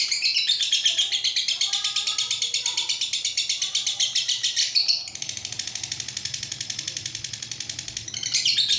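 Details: Lovebird, unedited, performing a long-duration ngekek song: a sustained high rapid rattling trill of evenly pulsed notes, about three per second, continuing for over eight seconds with a brief break and shift near the middle.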